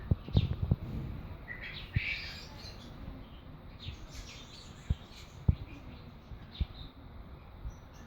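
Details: Fischer's lovebird chick giving short, high chirps, bunched around the two-second mark and then scattered and faint, over steady low rumble and occasional knocks and handling thumps.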